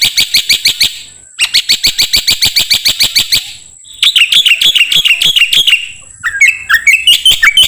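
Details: Black-winged myna singing in a training recording for songbirds: quick, ringing note series broken by pauses, then a varied twittering passage with rising and falling whistles.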